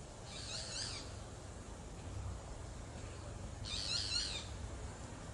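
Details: Boat-billed flycatcher producing two rasping, nasal, high-pitched calls about three seconds apart, each under a second, over faint low background hum.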